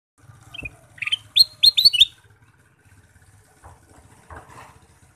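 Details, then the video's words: Ruby-throated bulbul (kutilang emas), said to sing vigorously all day, gives a quick burst of bright, chirpy whistled notes lasting about a second, followed by softer scattered chirps over a low background hum. "Kicau Burung Kutilang Emas: Gacor Sepanjang hari"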